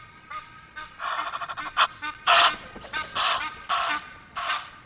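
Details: On 5 March at the Loch of the Lowes webcam, Scotland, noisy Egyptian geese give buzzy rasping calls that swell into loud, broad honks, roughly one or two a second, some higher and brighter than others.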